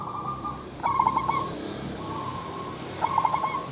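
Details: Zebra dove of local stock used as a lure bird to draw answering calls from other zebra doves; soft, steady hums broken by two rapid, pulsed cooing trills over a hissy background.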